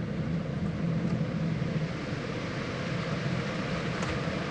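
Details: A low steady hum with a faint hiss, with no animal sounds.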